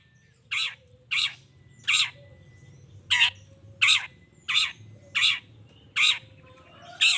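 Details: Long-tailed shrike used as a lure to make other shrikes respond: a series of rough, scratchy squawks roughly every 0.7 seconds, over a low hum and faint whistled notes.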